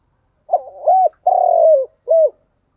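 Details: Single spotted dove phrase in thúc gù style: jerky opening notes, a smooth arched coo, a long coarse coo that falls away, and one short ending coo. No other noise.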